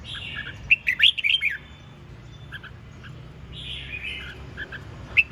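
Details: Red-whiskered bulbul singing vigorously in the ché chẻ song style: a bright, bubbly warbled phrase around one second, quiet low hum, then a second liquid phrase near four seconds and a brief sharp note at the end.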